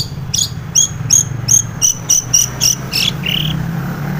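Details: Female long-tailed shrike, morning lure recording for caged birds: a rhythmic run of high, thin, metallic notes about three per second, closing with a short lower whistle over a low steady hum.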